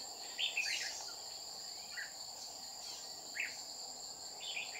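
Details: Red-whiskered bulbul decoy singing during trapping in Đồng Nai, Vietnam, 30 July 2019, as a wild bulbul came down to threaten it. Short warbled phrases come about every second, over a steady high insect drone.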